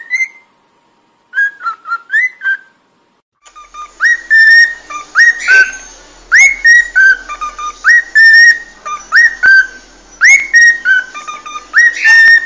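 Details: Cockatiel song for teaching singing: quick whistled phrases of short notes, then a louder, busier stretch of repeated whistles with sharp upward slides over a faint steady background hum.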